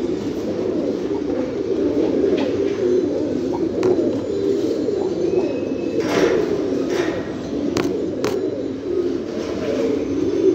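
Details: Fancy pigeons, domestic rock doves, cooing in a thick low chorus, broken by scattered sharp taps and wing flutters.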